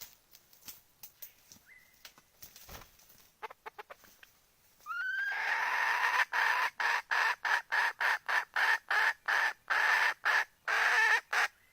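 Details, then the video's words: Hen calling for the rooster. Faint clicks and rustling first, then a loud, harsh, nasal squawking from about five seconds on, broken into rapid bursts about three per second with brief gaps. "Poj qaib seev tsauj nrhiav lau แม่ไก่ร้องหาไก่ผู้"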